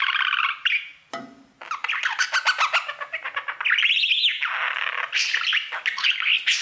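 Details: Pet male budgerigar singing to his mirror, a habit kept up all day: dense, fast, chattering warble of buzzy notes, clicks and rising squeaky whistles, with one brief low grating squawk and a short pause before the chatter resumes.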